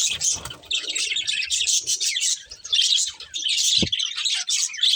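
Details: Continuous chirping chatter from a breeding pair of budgerigars, bright and scratchy, with short pulses of soft low rustling beneath and a single sharp knock near the end.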